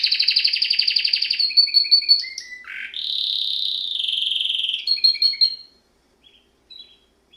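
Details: Canary song opens with a fast pulsed trill, steps down through short repeated chirps and a low dipping note, then a sustained buzzy warble and a few descending notes before falling silent near the end.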